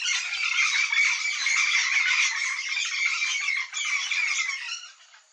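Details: Yellow-faced parrot flock calling together in a dense, continuous chorus of harsh squawks and chatter, rapid overlapping notes, fading out near the end.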